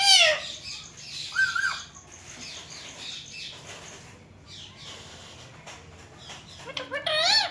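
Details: Indian ringneck parakeets, a family kept together, calling at a mirror: harsh squawks and harmonic wavering calls at the start and end, a flat whistled note in between, and quieter rustling and chatter through the middle.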